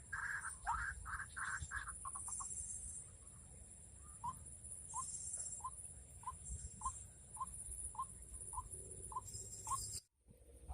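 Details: A white-breasted waterhen, recorded while being trapped during the rainy season, gives a few harsh croaking bursts, then a long series of short rising notes repeated roughly every half second, with a steady high whine throughout.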